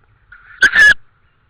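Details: In Estonia on the evening of 24 May 2013, a tawny owl that heard something: a faint thin lead-in, then a loud, grating, clicking burst in two parts, lasting about a third of a second, before quiet returns.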